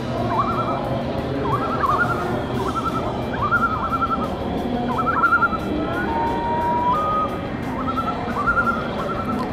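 Common Loon calls played over a speaker: short, wavering, rising-and-falling notes about every two seconds, and one drawn-out mournful note, over a steady indoor hum.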